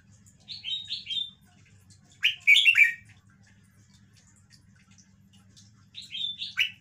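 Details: Caged red-whiskered bulbul, described as an old bird, showing off its song phrasing: three short bursts of bright warbled notes, each a quick run of rising-and-falling liquid whistles, separated by pauses of two to three seconds, over a soft low hum.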